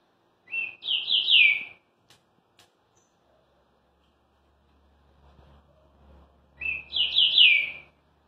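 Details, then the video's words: A green-winged saltator in Rio de Janeiro, singing oddly again after its moult, gives two loud, rich whistled phrases about five seconds apart, each slurring quickly up and down, in a quiet room. "Trinca ferro seca muda e volta a cantar estranho"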